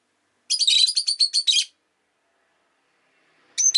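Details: Rosy-faced lovebird, a pet, on a lazy afternoon, giving a rapid burst of about eight harsh, high chirps over one second, a pause, then another shrill chirp begins.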